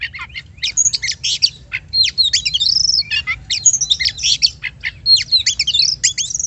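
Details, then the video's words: Oriental magpie-robin singing as a lure to stimulate other birds: lively bursts of high crisp notes and twisting whistles separated by brief pauses, ending on a rising clear whistle; faint low hum underneath. "PANCINGAN BUNYI BURUNG KACER"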